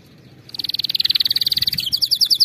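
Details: Canary singing as a model for training other canaries: a quick, even rattling trill of bright pulsed notes that shifts into higher, slower chirps near the end.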